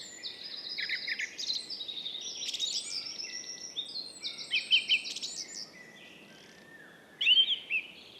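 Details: Song thrush singing in Estonia: loud, varied phrases of clear whistled and rattling notes, with some short motifs repeated two or three times, separated by brief pauses, over a faint background of other birdsong.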